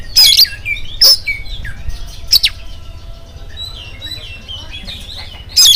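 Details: Morning song of an oriental magpie-robin, meant to prompt other magpie-robins to sing: loud harsh rasps spaced about a second apart, with soft gliding whistles and twitters between, and a final rasping burst.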